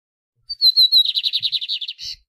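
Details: {'caption': 'Lined seedeater (bigode) song for rousing a pet bird to sing: a brief whistle, then three drawn-out clear whistles, followed by a quick string of about twelve buzzy repeated notes and a rough final burst.'}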